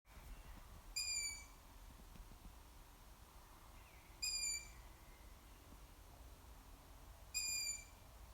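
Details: Juvenile long-eared owl calling: three thin, high, squeaky drawn-out notes, each about a third of a second long, spaced roughly three seconds apart over a faint low rumbling background.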